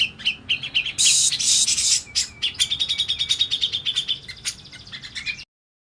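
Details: Grey-cheeked bulbul song for luring and training: chirpy high notes, a harsh loud rasping burst lasting about a second, then a fast string of bright chirps that stops abruptly into silence.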